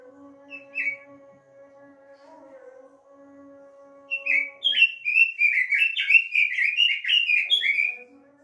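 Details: Lure recording of robin song for a caged bird: after several seconds of soft steady tones and one brief chirp, a fast, lively warbling sequence of varied whistled notes runs for about four seconds.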